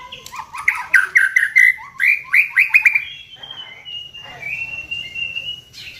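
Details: White-rumped shama song played as a lure to make the bird sing, opening with a rapid series of repeated rich chirps, about four per second, then a long clear drawn-out whistle, over a faint low hum.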